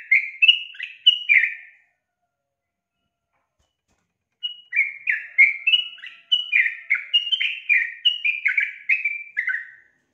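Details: Female yellow-vented bulbul giving a lure call to draw males into singing: a short burst of bubbly, chirping notes, a pause, then a longer run of about a dozen quick, slurred chirps.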